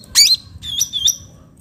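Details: Natural-setting bulbul, locally called cucak ranting: one loud harsh, rising squeak followed by a few thin whistled, slightly wavering notes over a soft low rumble.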